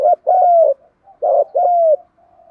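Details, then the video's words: Spotted dove kept as a decoy to excite other doves into fighting; two close, low, mellow coo units, each a short note followed by a longer sliding coo, with faint soft cooing after. "chim cu gáy Mồi bài bản giúp bổi nhanh nổi/ cu gáy kích bổi"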